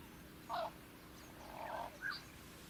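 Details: Fork-tailed drongo in natural habitat in Africa gives three harsh, nasal notes: a short rasp, a longer grating phrase, then another quick rasp, over a faint steady hiss.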